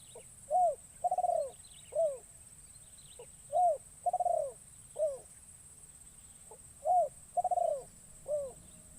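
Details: Young spotted dove kept as a lure in a forest calling repeatedly: three cooing phrases, each a brief note, a curved coo, a long tremulous coo and a descending coo. A thin, constant high-pitched hum is also heard.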